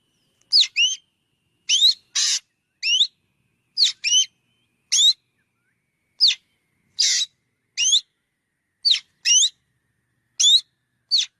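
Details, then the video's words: Long run of black drongo calls: many paired, curving whistled notes and occasional scratchy buzzes, delivered about once a second for over eleven seconds in complete quiet. "Suab noog quaj suab ntseg ntshauv .tiếng chim chèo bẻo kêu chuẩn"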